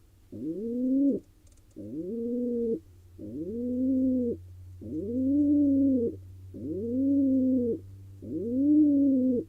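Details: Male pigeon courting a female in a wild barn owl nest box in Israel: six steady, low, droning coos, each rising at the start then holding level, spaced roughly every one and a half seconds, with a faint hum beneath.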